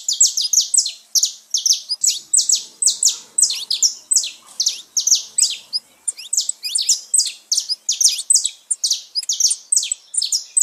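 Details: Continuous saffron finch song played to excite caged birds. Loud, high, sharply descending notes follow one another steadily for the whole stretch, several per second.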